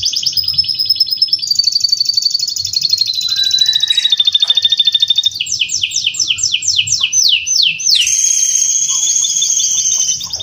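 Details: Male canary, bred at home, singing a long-lasting master song for training: sustained high trills, a descending rolled tour, a run of quick downward-sweeping notes, then a bright high buzzy trill.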